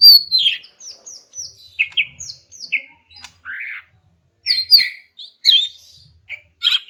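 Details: Female greater green leafbird calling to make silent males sing: high whistled notes and slurred descending phrases in quick bursts, with short harsher chatters and brief pauses between groups.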